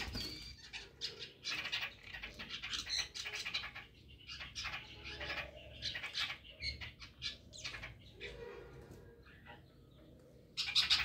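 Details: Chestnut-tailed starlings together at early morning, a dense, nearly continuous stream of scratchy, high-pitched chatter and short squeaks, briefly pausing, then rising again loudly at the end.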